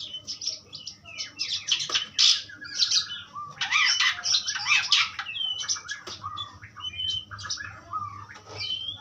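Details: Energetic Asian pied starling song, loud harsh rattling bursts mixed with squeals and short whistled notes, over a steady low hum.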